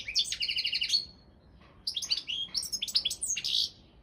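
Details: European goldfinch, Balkan form, in a song championship: a buzzy trilled series of repeated notes, a brief pause, then lively high twittering with sliding whistles.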